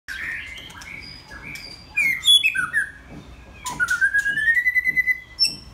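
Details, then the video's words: White-rumped shama, a kept male, singing: long rich whistled notes, some sliding upward, mixed with sharp chips and a fast stuttering trill near the end. "White Rumped Shama"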